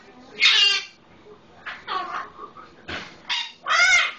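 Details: Pet Eclectus parrot imitating a red-lored amazon indoors: several harsh, raspy squawks, some drawn-out and wavering, spaced about a second apart, with a faint low background hum.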